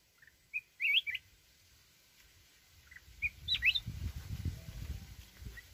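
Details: Mountain red-whiskered bulbul singing wild-style: a burst of lively whistled slurs, then after a pause a second phrase of quick warbled notes with a steep rise. Low rumbling noise builds toward the end.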